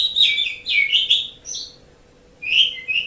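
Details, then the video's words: Asian pied starling song, recorded as a tutoring track for pet songbirds: two bursts of chattering, buzzy and whistled notes, split by a brief silent pause, over a faint steady low hum. "Suara Burung Jalak Suren"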